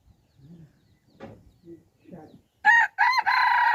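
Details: Hybrid junglefowl rooster, recorded 10/1/2021, crowing: a few soft low murmuring sounds first, then a loud, harsh, strongly harmonic crow beginning near the end, broken by two brief gaps and held to the close.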